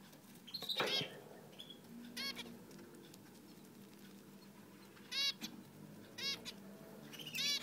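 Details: A male zebra finch feeds his 3 newborn chicks in the nest, with one egg still unhatched and the mother outside; the chicks give short bursts of high, rapid, buzzy begging calls as they are fed.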